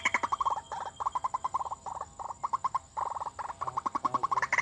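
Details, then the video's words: White-breasted waterhen, recorded as a bird lure in 2019: fast bursts of clipped, knocking notes repeated in short groups with brief pauses between runs. "Hasil Denak Pemikat Burung Ruak-Ruak Memikat/White-breasted Waterhen"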